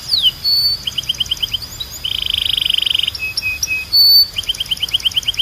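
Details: Song of a Belgian canary: short clipped phrases, a steady pure whistle, a dense buzzing roll near two seconds, then low chirps and a bright sustained tone before rapid repeated notes.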